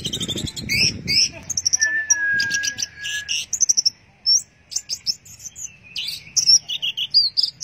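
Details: Teler song of an Orange-headed thrush: a busy stream of high chirps, twitters and short whistles, with one long level whistle midway.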